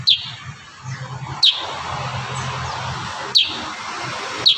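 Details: Kurincang giving loud, sharp, high chirps in the 'tembakan rapat' style, spaced one to two seconds apart, over a soft continuous background hiss and low hum.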